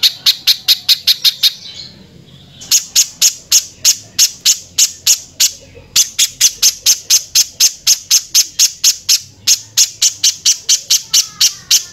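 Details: Harsh-voiced pijantung (spiderhunter) training song for other songbirds: long runs of loud, scratchy clipped notes repeated several times a second, with brief gaps between bursts and a quiet low hum behind.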